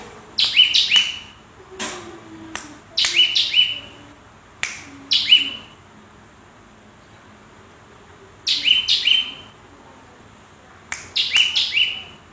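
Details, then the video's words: Cinereous tit singing energetically: five short bursts of rapid, high, descending chirped notes, spaced about two to three seconds apart, with sharp dry clicks between phrases in a quiet room. "GELATIK BATU GACOR MEWAH ISIAN"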